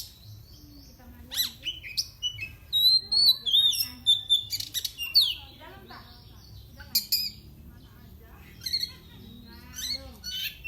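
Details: Oriental magpie-robin, an owned bird whose song provokes rival birds: dense bursts of whistles, chatters and clicking notes, a long sliding whistle near the middle, then scattered sharp notes over a quiet background.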